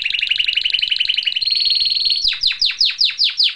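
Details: Canary song: a fast double-pitched trill that rises, then a string of about seven sharp downward-swept whistles repeated a few times per second.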